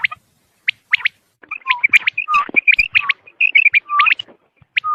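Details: Quail, recorded for hunting use: dense run of sharp chirps and short whistled notes, some dropping in pitch, crowded together in a lively irregular stream over five seconds.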